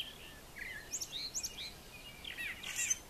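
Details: Brown thrasher singing in the morning on a farm yard: a few slurred notes, then sharp high chips and a burst of tangled rising and falling notes.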